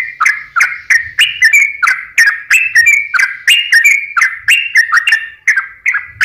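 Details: Lure recording of a sooty-headed bulbul, meant to make lazy or stressed birds sing: steady, rapid run of short warbled whistles, about one phrase per second, bouncing between slightly higher and lower notes.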